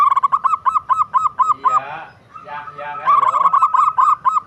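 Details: Local zebra dove song: quick series of short, hooting notes repeated about four per second, briefly interrupted midway by a softer, harmonic-rich rasping sound before the rapid notes resume.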